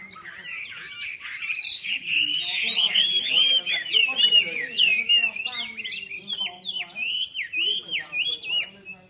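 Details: Red-whiskered bulbuls at a Long Bien club session on 27 April 2014: dense overlapping whistled, warbling phrases from several birds, rising and falling quickly, with people talking in the background.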